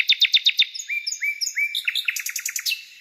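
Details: A songbird singing a lively phrase: a quick series of sharp repeated chips, then drawn-out level whistles, ending in a high fast rattle of bright notes.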